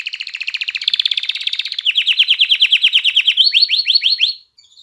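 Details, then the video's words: Canary song for stimulating females to mate and chicks to learn singing: a dense rolling trill gives way to steady downward-swooping notes, about five per second, ending in slower rising whistles before falling quiet. "تغريد كناري نار لتهييج الإناث على التزاوج وتحفيز الفراخ على التغريد"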